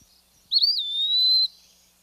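An Eastern Wood-Pewee gives one clear, high whistled phrase about a second long. It slurs down and then levels off in a plaintive 'pee-wee' over quiet background.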